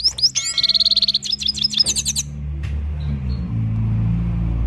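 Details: Himalayan goldfinch from Parachinar in song: a burst of quick twittering, a fast trill of even notes and sharp chirps for about two seconds, then the singing stops, leaving a low rumbling background hum.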